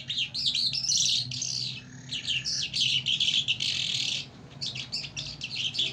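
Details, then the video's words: Lark singing in the Iranian and Afghan Mashadi jal style: a dense, continuous run of high chirps, trills and buzzy notes in quick bursts with brief pauses, rather rapid and irregular in rhythm. "Mashadi lounda larks irani afghani jal Singing"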